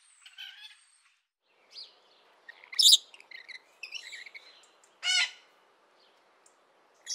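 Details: Scattered rainbow lorikeet calls: brief shrill notes and chatter, one piercing screech near the middle and another rasping burst later, over a soft background hiss.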